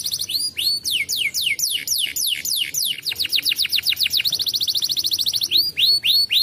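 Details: Canary singing, used to stimulate other canaries; a rapid run of clear whistled notes, each sweeping downward, about three to four a second, speeding into a fast even trill near the end, then slower sweeping notes again.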